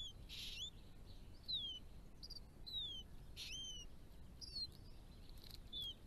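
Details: Hooded robin, a breeding resident on a property in Victoria, Australia, in habitat mixing shrubs, trees and open spaces: thin, clear whistled notes sliding downward, given singly every second or so, with occasional brief noisy bursts and soft background hiss.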